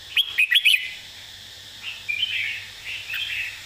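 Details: Red-whiskered bulbul giving a clearly phrased master song: a loud phrase of four fast ringing whistles, followed after a pause by quieter, lower chattering warbles.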